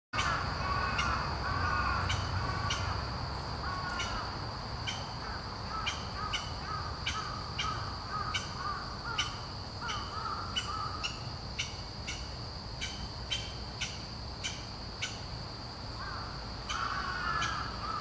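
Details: A Japanese green woodpecker gives harsh, repeated calls in short bursts, with a steady insect drone behind, recorded on 7 September 2013 at Inokashira.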